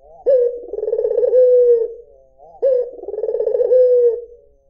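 A white ringneck dove gives two low, rolling coos about two seconds apart. Each opens with a sharp clipped note, then breaks into a throaty purr before fading.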